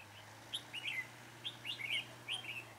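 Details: Red-whiskered bulbul at Chùa Hương on a cold windy day, 9 December 2017, fighting song during trapping with a caged decoy; three bright, rapid warbled phrases of quick rising and falling notes, evenly spaced, over a low steady hum.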